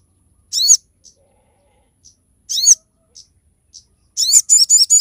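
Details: Crested jay, local name sogok ontong, in sharp 'tembakan' song used as a tutor and lure recording: high harsh chattering bursts near 0.6 and 2.6 seconds, soft ticks between, then a fast rattling series at the end.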